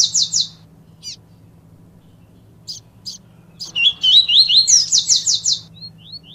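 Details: Double-collared seedeater, baiano song for warming up a quiet bird: a buzzy high opening, a pause with isolated chips, then a tumbling zigzag whistle and a fast buzzy series trailing into thin upslurred notes.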